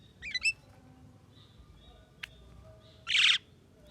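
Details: Javan myna said to be able to speak: a quick double whistled note, a single sharp click, then a loud, broad, grating squawk lasting about a third of a second.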